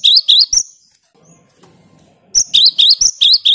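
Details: Cinereous tit delivering rapid, piercing rising notes, then falling silent for almost two seconds before resuming the same bright, chattering phrase. The loud 'gacor' song is meant to rile up rival birds.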